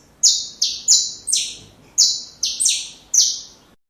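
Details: Saffron finch song for teaching chicks: seven loud, high notes, each a sharp start sliding down into a buzzy tail, grouped in uneven pairs and threes before the song stops.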